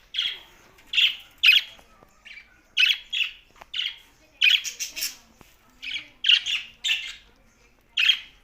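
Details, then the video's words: Budgerigar chirps, clean and indoors-sounding: short scratchy squawk notes, single or in quick pairs, spaced irregularly across the clip with quiet between them. "Parakeet's Watihe Budgies Parrot Talking"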